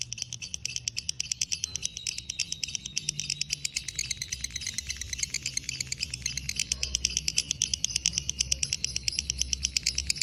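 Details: Extended ngekek from a fighter lovebird in breeding condition, a continuous fast rattle of high, harsh pulses near three per second, heard at modest volume over steady low rumbling.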